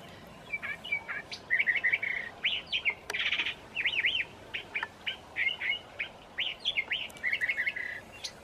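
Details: On a mild March evening in Santa Fe, New Mexico, a curve-billed thrasher delivers a lively song of repeated whistled slurs and chips with one buzzy burst, a meadowlark singing in the background.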